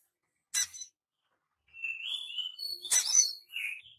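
A young crimson sunbird practising: two sharp, high 'tsit' bursts around thin, wavering twittered notes that slide up and down.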